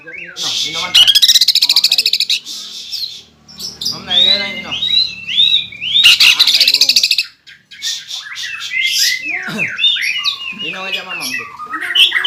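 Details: Rolling, energetic greater green leafbird song, dense high rattling trills alternating with varied whistled and squeaky notes that rise and fall, phrases separated by short silences.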